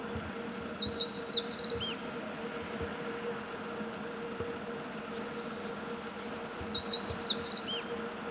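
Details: Meadow bunting song: a quick, high, jumbled phrase of bright chirps and short trills, a softer trilled fragment midway, then the phrase again about six seconds later, against a constant faint hum.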